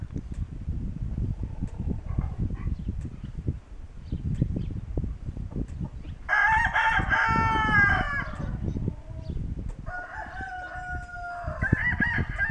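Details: A homegrown hybrid Kencana rooster (Ameraucana × Barred Rock/Ameraucana cross) crows twice in the barn on 26 January 2013: a loud harmonic-rich cry around six seconds and a shorter crow near ten seconds, over low rumbling barn noise.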